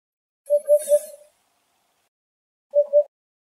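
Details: Eurasian hoopoe (Upupa epops epops) in Greek countryside, foraging by digging soft soil with its bill. It gives three soft, low, hollow 'oop' notes in quick succession, then two more after a pause, with a brief high hiss over the first phrase.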